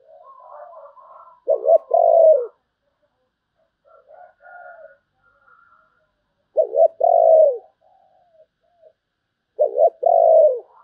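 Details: Spotted dove song of the 'sấm bầu' style: three low coo phrases, each a quick doubled note leading into a drawn-out falling coo. Soft fainter warbling between phrases.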